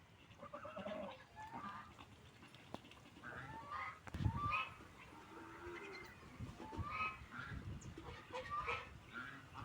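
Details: Several ducks feeding and drinking water, giving scattered short calls, some rising and whistled, others brief and nasal, spread across the recording with occasional splashing thumps.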